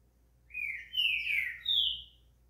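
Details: Song of a green-winged saltator, played to get a bird warmed up for singing: a softer phrase of four whistled notes, mostly falling slides, the last one pitched higher, over a faint low hum.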